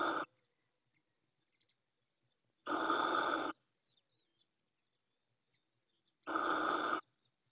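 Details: Nesting female Little owl in Ávila, Spain, giving rasping, wheezy hisses of under a second each, repeated roughly every three and a half seconds with quiet gaps between.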